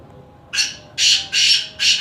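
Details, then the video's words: Black francolin in Khushab giving its call: a series of four loud, harsh, rasping notes, each about a third of a second long, spaced roughly every 0.4 seconds, over a quiet background. "kala teeter ki awaz"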